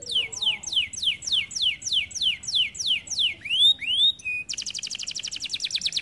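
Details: Canary singing: a rapid series of repeated descending whistled sweeps, then two long rising-falling slurred notes, a short steady whistle, and a fast buzzy trill of rapid pulses at the end.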